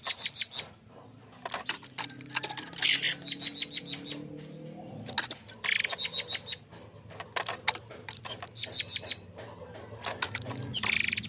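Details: Forktail, locally called murai air, giving a rough 'tembakan' (shooting) style song used as a lure: thin, very high whistled notes fired in rapid bursts of five to seven, separated by short pauses, with scattered sharp clicks between.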